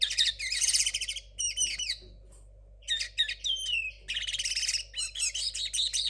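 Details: A 2022 linnet hybrid, still learning and with a messy song, alternates chattering, rapid bursts with short whistled, sliding phrases, separated by brief pauses; faint constant hum underneath.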